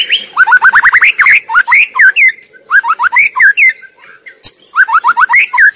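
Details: Wild White-rumped shama singing a chattering song built from quick series of rising whistled notes, repeated in bursts with short pauses between them.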